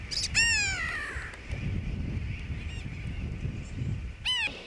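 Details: Grey-backed tern, Johnston Atoll, June 16, 2001: one strong descending nasal cry at the start and another at the end, with weaker distant calls between and a constant low rumble throughout.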